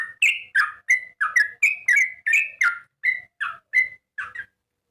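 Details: Sooty-headed bulbul giving a bright run of short, warbled, whistled phrases, roughly three per second, varying in pitch and fading toward the end of the clip.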